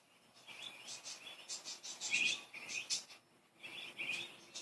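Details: Several playful, happy budgerigars chirp and chatter in a quick run of short, bright, high warbling notes with brief pauses, over faint background hiss.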